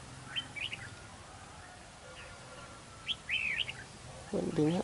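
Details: Red-whiskered bulbul at a trap, undeterred after a missed snap and still standing to sing in a territorial fight; bright warbled phrases with sliding notes repeated twice, then a man's voice at the end.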